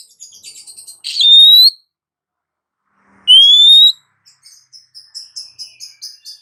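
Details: Female Oriental magpie-robin calling the male, used as a lure: loud pure whistles rising from low to high, each about half a second, separated by quiet gaps, with soft chattering and buzzy notes between them.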